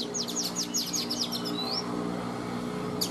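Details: Caged Oriental magpie-robin, an older wild-caught bird kept three seasons, in morning song: a fast run of high downslurred notes, then a single rising whistle, a faint hum behind.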